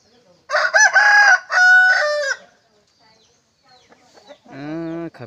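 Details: Large decoy wild red junglefowl, recorded 27 October 2020, crowing loudly: a bright, harmonic, three-part crow with a long drawn-out last note, then a shorter, lower, nasal call after a brief silence.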